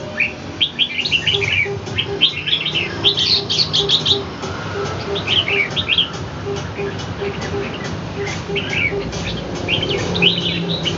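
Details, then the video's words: Caged red-whiskered bulbul fighting a wild bird in Ho Chi Minh City, Vietnam: bursts of bright, quick chirps and short warbled phrases, several in a row, over a steady low hum and mixed background noise. "chao mao nha giao chien voi chim ngoai"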